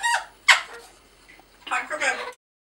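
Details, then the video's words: A pet African grey parrot talks in low light in two short bursts of speech-like syllables: a sharp squawky word, a pause, then a quicker run of chattering words. "Talking African Grey Parrot"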